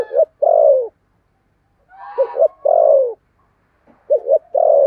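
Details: Decoy spotted dove with a 'thổ' style voice, used to lure other doves, giving a 'thúc bổi' coo: a quick double note, then a long, mellow, falling coo. The phrase repeats three times, with soft higher rasping notes between.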